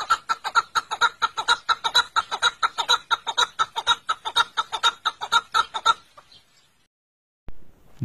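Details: Partridge on a rock, singing heartily from a played-back recording: a long, steady series of loud, hoarse chuck notes about four times a second for six seconds, then silence and a brief rustle.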